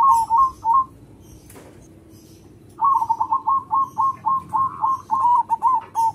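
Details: Local zebra dove with a big, loud voice, used as a lure to draw other zebra doves: rapid runs of short, rolling coos, a brief pair, then a long steady series, with faint rustling behind.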